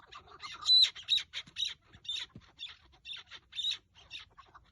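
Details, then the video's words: Partridge calling during rooftop partridge hunting on 30 March 2024; a series of harsh, rasping chattering notes in rhythmic bursts, roughly two per second. "çatı keklik avı keklik sesi"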